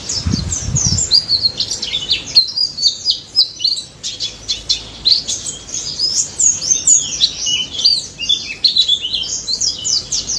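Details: Pleci daput, a white-eye, giving long ngalas song as a lure for silent birds: pulsed clusters of high sweet chirps and thin slurred whistles, with a brief pause after two seconds. Low thumps open the recording.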